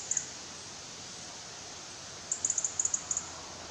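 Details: A young European robin, waiting for its parents to bring food, gives very high, thin ticking notes: a quick pair, a pause, then a rapid run of about nine, against a soft hiss.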